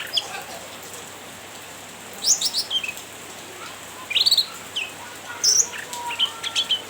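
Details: Cucak ranting chattering to tease a rival bird, with three clusters of quick, high, slurred chirps separated by brief pauses and a low hiss behind.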